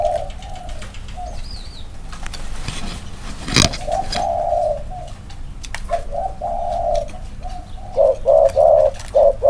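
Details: Two caged male spotted doves set side by side to compare their close-range cooing; series of low hollow coo phrases, short notes building into longer sustained coos, a sharp knock midway, small birds chirping faintly in the background.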